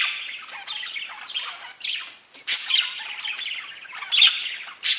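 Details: Several parakeets chirping and talking to each other: a dense, continuous stream of scratchy chirps, chirrups and short squawks, with louder harsh bursts near the second, two-and-a-half and five second marks.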